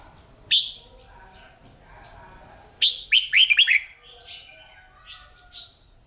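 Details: Red-whiskered bulbul kept by hobby keepers, singing in morning training: a single sharp whistled note, then a rapid burst of five quick, rolling, slurred notes, with softer chirps of other birds.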